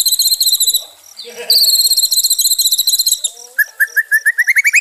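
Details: White-rumped shama, in a recording meant to restore a stressed shama's fighting spirit: long high rapid trills, a short low muffled pause, then a rising sequence of quick clipped whistles.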